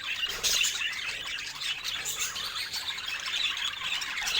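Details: Budgies chattering; steady, high warbled twitter mixed with quick chirps and scratchy squeaks, with the sound rising and falling gently in volume throughout.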